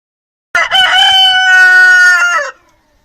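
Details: Rooster crowing, a single loud, rich, sustained cry of about two seconds with a rough start, a long steady middle and a falling, fading end, otherwise quiet.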